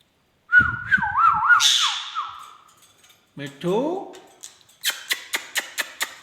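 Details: Pet Indian ringneck parakeet indoors whistles a looping, up-and-down warble beside a low murmuring voice, then gives rising slurred notes and a quick train of clicks.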